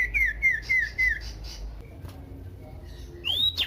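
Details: Common iora singing, recorded as a lure to set other ioras singing: five quick descending whistled slurs in a row, a pause, then one high rising whistle.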